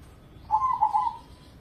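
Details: Single cooing phrase from a crossing-bred zebra dove, an Indonesian perkutut contest bird that sings day and night. The note is soft and low, with three quick throbbing pulses lasting under a second.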